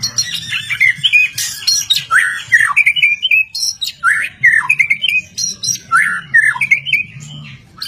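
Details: ['Loud, lively white-rumped shama song of short varied phrases, mixing warbled whistles, sharp chips and quick flourishes, about one burst every half second, with a low steady hum behind.']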